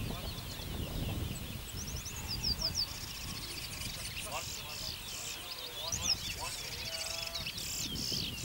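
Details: Caged bullfinches competing at an annual bird whistling competition in Malabar, Arima, Trinidad, 2019: several birds give rapid high whistled and chirping phrases, overlapping, over steady crowd murmur and people talking.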